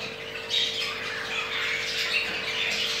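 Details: Budgerigar pair with two eggs, the crested jumbo male mating; harsh squawks and grating chatter fill the three seconds, with a low electrical hum throughout.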